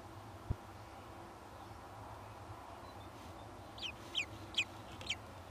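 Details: Kestrel nest during hatching of the third egg, with the male arriving to look at the new chicks: a quick run of four sharp, high, downslurred chirps near the end, after a single low thump, over constant low background hum.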